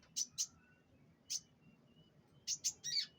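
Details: Canary at a pengembunan session giving short, sharp, high chirps in scattered pairs, with a faint thin whistle between them.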